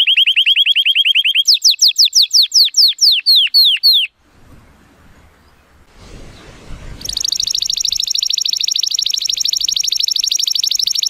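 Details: 83-point male Timbrado Español canary, born 2018, singing its training song on a sunny day: quick repeated notes, then looping downward-swept notes, a short pause with low background noise, then a long dense high buzzing roll.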